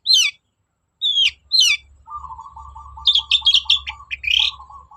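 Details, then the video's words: Long-tailed shrike lure: three sharp downslurred whistles, then scratchy chattering over a steady lower buzzing rattle. "BURUNG CENDET GACOR DOR PANCINGAN AMPUH CENDET SUSAH BUNYI"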